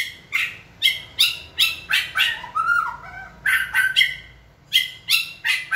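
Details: White-rumped shama being trained to sing when signalled, delivering harsh, buzzy notes rapidly repeated about twice a second, with a brief softer whistled warble in the middle.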